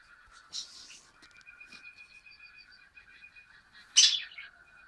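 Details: Male budgerigar, very active, first day at a new home with a flock, 14 December 2013; steady soft warbling chatter with a loud harsh squawk near the end.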